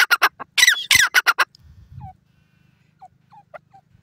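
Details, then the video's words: Grey francolin calling: a burst of loud, rasping, repeated syllables at a quick pace for about one and a half seconds, followed by faint distant notes and a low rumble. "dakhni teetar ka awaz, teetar bird sounds"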